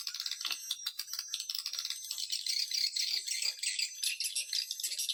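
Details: Swiftlets heard on a lure call used to attract them: a continuous high, jingling rattle of overlapping chirps with thin whistled streaks running through it.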